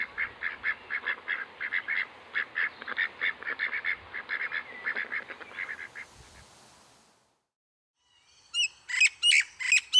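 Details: Pied currawong in Sydney: a fast run of ringing, mid-pitched notes for about six seconds, followed after a pause by sharp, high repeated notes from another bird.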